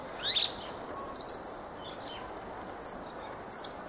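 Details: Fieldfare (Turdus pilaris) delivering a string of high, scratchy squeaks and a quick chatter, then two more brief squeaky bursts near the end.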